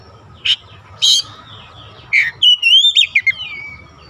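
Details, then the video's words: Oriental magpie-robin song used to provoke other magpie-robins, a few scattered sharp chirps over steady low noise, then a short melodious whistled phrase with descending slurs. "PANCINGAN AMPUH KACER APAPUN DIJAMIN LANGSUNG NGOTOT KONSLET"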